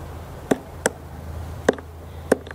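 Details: Female black woodpecker (Dryocopus martius) near houses in Kalinovsky forest park, Yekaterinburg, Urals, pecking pine roots for bark beetles: four sharp, dry knocks spaced unevenly over about two seconds, over faint low background hum.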